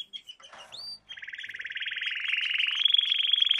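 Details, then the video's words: Canary song lesson for training young canaries: a few short chirps and a rising slurred note, then a long, very fast buzzy trill that grows steadily louder. "Canary Singing - lesson 16"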